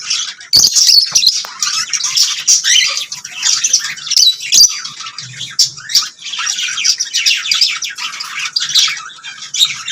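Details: Singing lovebirds give a long, unbroken run of harsh, high squawky chatter and twittering. The loudness rises and falls, with sharp clicks scattered throughout.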